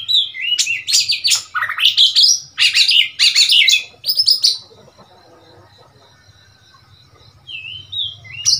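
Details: Oriental magpie-robin from the wild, now kept in a cage in Thailand, singing a rich run of loud whistled and buzzy phrases for four seconds, sweeping between high and mid pitch, then quiet with soft distant notes and a final whistle.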